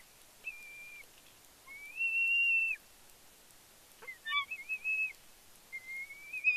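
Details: Big Bear bald eagle eaglet on fledge day, 31 May 2022, calling excitedly as the male parent brings a fish to the nest. Drawn-out thin whistles, some flat and some slowly rising, then a burst of short chittering notes.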